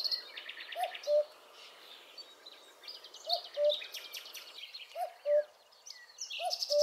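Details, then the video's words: Repetitive song of a migratory common cuckoo soon departing for Africa: two-note descending hoots, a short higher note then a longer lower one, repeated about every 2 seconds, while other songbirds trill and chirp busily at higher pitch. "Cuco cantando"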